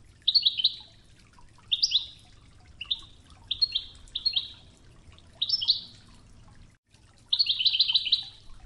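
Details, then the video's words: Goldfinch training song in the Oued style with babbling river water; a string of short twittering chirps ending in a rapid rolling trill, with low steady water noise underneath. "الشريط الويداني الأصلي توغزة بنغمات خرير مياه الأنهار"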